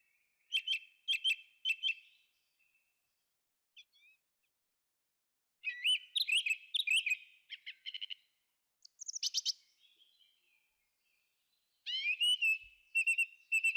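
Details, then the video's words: A thrush sings in a forest, in bursts of rich, varied phrases: clear whistles mixed with rapid chattering notes. Each phrase is repeated before the next, with pauses between. "Thrush singing"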